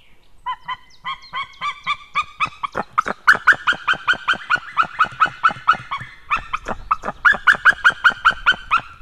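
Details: Calling white-tailed eagle pair on 6 May 2016, evening at 18:31, the male going out and the female arriving, possibly over a stranger overhead: a long rapid chain of barking, yelping notes, about two to three each second, rising in intensity.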